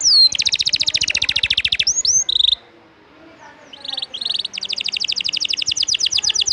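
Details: Canary delivering a rapid, rattling trill of high notes, a few short whistled slurs and buzzy notes, a brief quiet gap, then another long fast trill; intended as song material for other birds.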